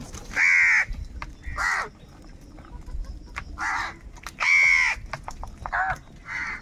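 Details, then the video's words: Angry crow calls while squabbling over food, with hoarse, grating caws coming in bursts, some loud and close, others softer, with short pauses between. "Different kauwa ki awaz - Angry kauwa ki awaaz | Crow bird unity anger and sound for food"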